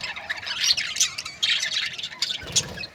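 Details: Brief stretch of budgerigar chirping from breeding pairs, with quick, bright squeaks roughly every half second over a soft, continuous warble.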